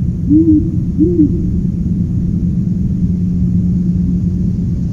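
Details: Owl giving two low, soft hoots in quick succession near the start, each a short arched note, followed by steady low rumble and a faint hum.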